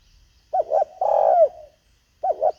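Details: A decoy spotted dove calling to lure wild birds: a soft double coo, then a longer drawn-out hoot falling at its end, then another double coo.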